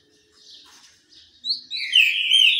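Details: Green-winged saltator singing while sunbathing: a short loud phrase of slurred whistles near the end, after a quiet start with faint chirps from other birds.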